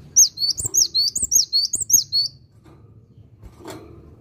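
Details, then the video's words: A lively cinereous tit phrase: about ten rapid, high whistled notes, each dipping and rising, packed into two seconds, then quiet with a faint low hum and a single tap. "Gelatik Batu Asli Gacor"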